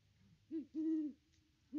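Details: Wild great horned owl at its nest tree on Christmas Day 2021, filmed by a nest camera, looking around before hooting: a brief low hoot, then a longer steady deep hoot, and another hoot starting at the end over faint low hum.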